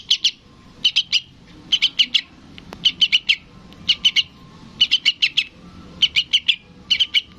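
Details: Juvenile yellow-vented bulbul calling to its parent with a steady series of high chirps, grouped in threes and fours, each group coming roughly every second.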